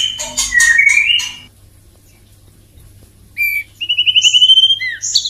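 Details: Male white-rumped shama courting a female: a burst of loud, varied whistles and buzzy notes around a second long, a pause, a sharp note, then a rapid rising trill and clear whistled phrases.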